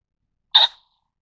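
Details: A Taiwan ring-necked pheasant (Phasianus colchicus formosanus) gives a single loud, abrupt, harsh raspy squawk lasting about a quarter of a second, in otherwise quiet surroundings.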